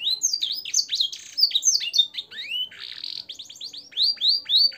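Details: Canary singing fancy blackthroat and sanger fill phrases for training other canaries: rising and falling whistled slurs, a short buzzy trill, then repeated upslurred notes.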